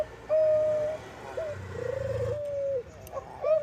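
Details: Bangkok-type zebra dove song used to coax other doves into singing: a sustained clear coo, then a wavering, slightly bubbling coo that levels off, over a soft low rumble.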